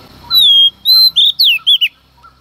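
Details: Female Oriental magpie-robin singing at dawn to provoke males: two drawn-out clear whistles sliding gently downward, followed by three quick bent, warbled notes, then silence.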